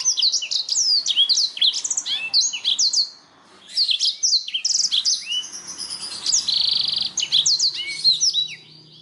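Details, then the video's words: Canary song used to stimulate other kept songbirds into singing: rapid rolling trills and repeated descending whistled sweeps, a brief pause, then a sustained buzzy roll amid further quick trilled phrases. "Terapi burung kenari"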